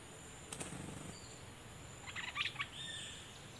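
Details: Cream-vented bulbul kept as a decoy bird, recorded 11 July 2021, with a faint click early on, then a short burst of quick, bright chirped notes midway against steady background hiss.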